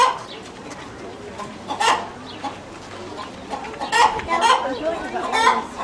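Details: A chicken making a fuss: short, harsh squawking calls, one near the two-second mark and then a cluster of three over the last couple of seconds, over a steady low background hum.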